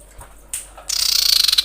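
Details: Calling a male, a breeding-condition female common iora gives a short sharp note, then a longer rapid pulsed trill of high chirps that speeds into an even rattle.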